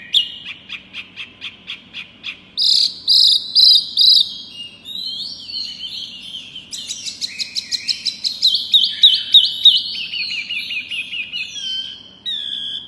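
Pygmy cupwing singing loud, high, thin notes in quick repeated runs, some slurred and rising, about three per second, over a faint low hum.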